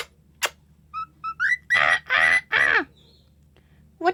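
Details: A pet cockatiel gives short clear whistles, then three harsh, buzzy, speech-like phrases near one steady pitch, seemingly imitating "what are you doing".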